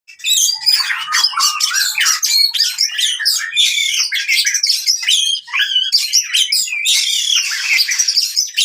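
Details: Fighting-style oriental magpie-robin song, meant for birds that have stopped singing: a dense, loud run of varied chirps, trills and quick whistled slurs, almost without pause, with a few lower steady whistles near the start.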